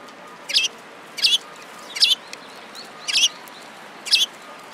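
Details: Sparrows gathering at feed at a Tenmangu shrine on 11 January 2017; short sharp chirps repeat about once a second, five in all, over a steady background hiss.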